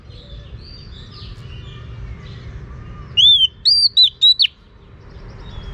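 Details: Female Oriental magpie-robin calling to stimulate males: a brief burst of four or five loud, sliding whistles lasting about a second, preceded by faint distant chirps and steady low background hum.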